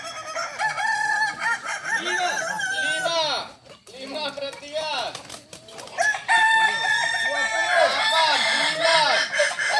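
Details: Kokok Balenggek roosters crowing together at a practice contest in Ampang Kualo, Kota Solok; long stepped crows of many quick arched notes overlap throughout, with a brief lull near the middle and crowd noise underneath.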